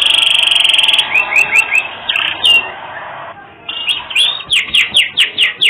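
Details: Energetic canary song with unusual phrasing, meant as a tutor recording for songbirds: a buzzy rattling trill, a run of quick downward slurred notes, a short pause, then a rapid series of loud rising-falling chirps.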